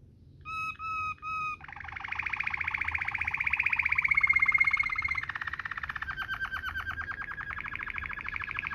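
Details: Waterslager-type rolling canary song, meant as a model for training canaries. Three short paired whistles open into a sustained buzzy roll, a pure whistled glide over it, then a slower pulsing trill.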